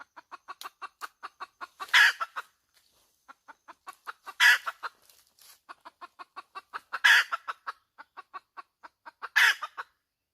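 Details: Domestic hen producing a continuous cackle: rapid regular clucks with a loud, scratchy squawk roughly every two and a half seconds, four in total, in an otherwise quiet setting.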